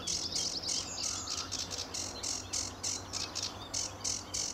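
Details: Lively sedge warbler in full song at RSPB Fowlmere, early morning, July 2013, sunny: about three dry, chattering high notes per second, repeated evenly, over a faint low hum.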